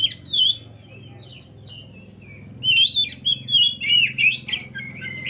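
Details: Oriental magpie-robin singing as bait to set off other birds: a loud opening phrase, a quieter spell of soft notes, then a rapid string of bright, varied whistles and sharp chirps over a low background hum.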